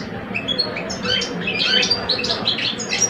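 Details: Two caged male European goldfinches in a singing duel, one old and one two years old, in Algeria; fast twittering trills and chirps at high pitch, somewhat faint over a steady low hum.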